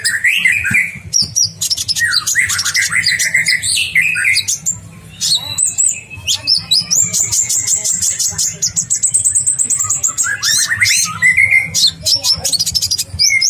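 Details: Masteran recording of an olive-backed sunbird in full, long-rolling song: fast, dense chatter of high chirps, slurred whistles and a long thin trill, with faint background music throughout.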